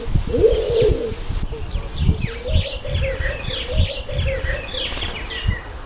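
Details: Low, wavering coos from a speckled pigeon repeat almost without a break, with a busy chorus of thin chirps and tweets from small birds above and low thumping background noise.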